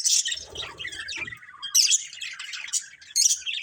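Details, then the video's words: Budgies from a family group chatter briefly: scratchy warbled chirps with sharp high squeaks near two seconds and three seconds, and soft low thuds at the start. "Cute Colourful Budgies Chirping Sounds"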